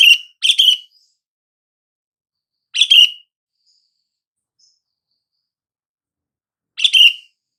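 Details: Sooty-headed bulbul calling, a call meant to make silent bulbuls respond: bright, slightly buzzy chirped notes, a quick pair at the start, then single phrases near three and seven seconds, otherwise silent.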